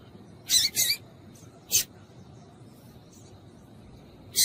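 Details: A female Lined Seedeater calls to stir up a male: very high, thin chipping calls in short bursts, a quick pair, then single notes spaced a second or more apart, over a faint low hum.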